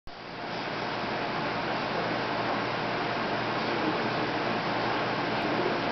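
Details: Steady broadband hiss like rushing water or machinery runs unbroken throughout, with no animal sound heard.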